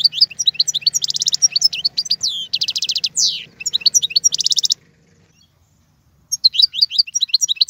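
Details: Goldfinch song intended to teach young birds: fast tinkling twitters mixed with dense buzzy trills for several seconds, a pause, then more twittering; low hum underneath.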